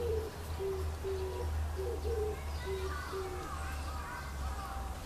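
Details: An Oriental turtle dove in a tree in Kyoto Imperial Garden, May 2014, gives soft low coo phrases during the first three seconds. Another bird then takes over with higher, wavering chattering calls, all over a low background hum.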